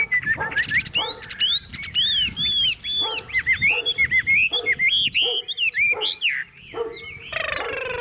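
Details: Chinese hwamei, tame and caged, bred for song, singing hard: loud arched whistles in quick bursts with harsh buzzy bands, repeated every half second or so.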